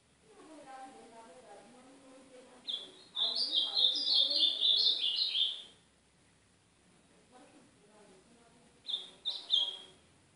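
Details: Ultramarine grosbeak from northeastern Brazil, song used for warming up a pet seedeater. Low harmonic sounds lead into a loud three-second high warble; later a brief second phrase of sharp notes.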